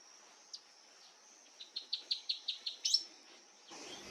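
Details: In early autumn 2025 at Lihué Calel National Park, La Pampa, Argentina, a male Golden-billed Saltator high in the branches tells other saltators the territory is taken: a quick run of about eight sharp, high notes in just over a second, over a steady insect whine.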